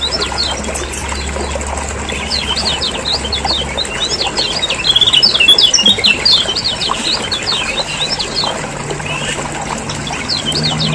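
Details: Lombok lemon-bellied white-eye calls used to stimulate caged birds, rendered as a long continuous stream of rapid high chattering chirps, about two per second, with a low hum early on.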